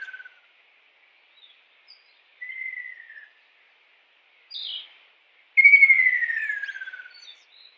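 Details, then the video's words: In the wild, a kingfisher gives scattered short notes and a medium trill, then one strong descending trill that rattles down in pitch over about a second and a half. "KICAU BURUNG TENGKEK RAJA UDANG di alam liar"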